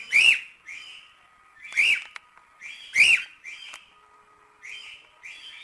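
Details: Cockatiels singing a lot mix three shrill, rasping screeches with quieter, slurred whistled notes. The phrases are spaced irregularly, about one to one and a half seconds apart, with a few faint clicks.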